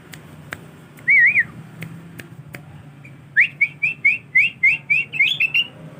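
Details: Tame young male sooty-headed bulbul practising song: a wavering whistled phrase, then a rapid series of about ten short rising whistled notes, with occasional clicks and a low hum behind.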